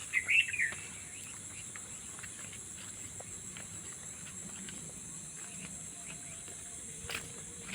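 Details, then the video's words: Unidentified bird calling at about 3 to 3:30 in the morning on a quiet, deserted road; a brief burst of high twittering chirps at the start, then faint scattered clicks over steady hiss and a low hum. "পাখিদের ডাক শোনার জন্য তোমাদের কাছে আরো নিয়ে যাচ্ছি কাছে।"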